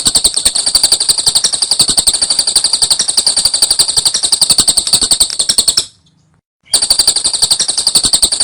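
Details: Lovebird giving a long ngekek trill for a training recording: a continuous rapid rattling chatter lasting nearly six seconds, a brief silence, then the fast trilling resumes just as loud.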